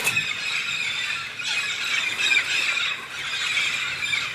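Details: Red-spectacled parrots massed in large migrating flocks in southern Brazil's Santa Catarina highlands to eat pinhão; an unbroken, shrill chorus of many squealing, squawking birds at steady loudness.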